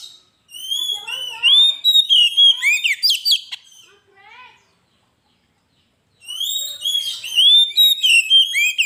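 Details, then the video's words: Oriental magpie-robin, called kacer, in energetic lure-master song: flowing whistled phrases build into fast loud chopped notes and scratchy bits, silence, then another rich run of rapid sliding whistles. "Suara burung Kacer gacor masteran pancingan suara burung kacer"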